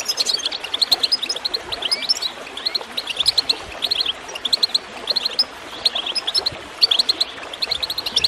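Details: Lively goldfinch chirping with gurgling water behind, meant to set birds singing; high twitters and sharp accented notes repeat in fast, uneven bursts throughout.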